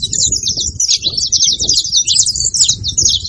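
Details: Saffron finch song, played to stimulate a quiet canary: unbroken rapid twitter of high, sharp chirps and slurred notes, evenly loud, with muffled low background noise.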